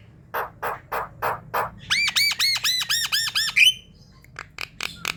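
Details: Javan myna call played as a lure to attract others of its kind: five harsh, buzzy notes, then a fast run of arched, ringing notes about six per second, ending in a few short sharp clicks.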